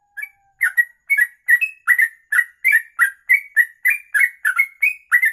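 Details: A sooty-headed bulbul's long kongslet ropelan song, used for tutoring birds: after one brief note, a fast, even series of clean, bright chirped and slurred notes against a quiet background.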